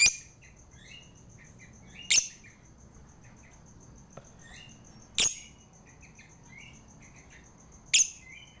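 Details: Harsh piercing lovebird shrieks, used as a prompt to get a lazy lovebird singing. Four loud bursts roughly 2.5 to 3 seconds apart, with many short soft twittering notes and a faint steady high whine in between.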